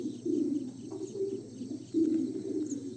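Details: Young homing pigeons calling in a loft: low, breathy cooing squeaks in two or three rough bursts, the last one louder, over a constant low hum.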